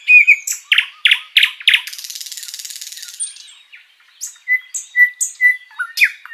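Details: Energetic sikatan londo flycatcher song used as a master recording for other birds. A quick string of loud sharp chirps runs into a soft buzzing rattle, then a pause, then short clear whistles and downslurred notes.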